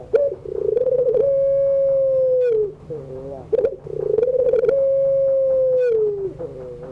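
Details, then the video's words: Barbary dove (puter) giving its long 'pelung' coo in the afternoon, used as a tutor for young birds learning to sing: a rolling, throbbing start, then a long level low tone that slides down at the end, heard twice. "tangisan suara puter pelung sore hari, pas buat pacingan burung yg lagi belajar bunyi"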